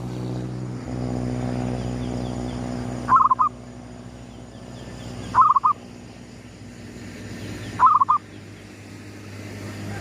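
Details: At sunrise a local gedong mengo zebra dove repeats its lure cooing: three short phrases of rapid, soft rolling notes roughly every two and a half seconds, with a low humming tone early on.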